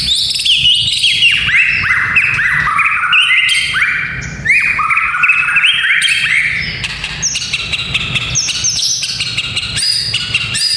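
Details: White-rumped shama in full song, used to train young fighter males: a fast, varied stream of chirps, rattles and whistled notes jumping up and down in pitch almost nonstop, over a faint low background rumble.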